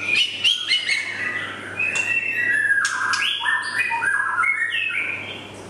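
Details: Young male white-rumped shama (murai batu) delivering a rich, varied song of clear falling whistles and quick chips, with a constant low hum behind.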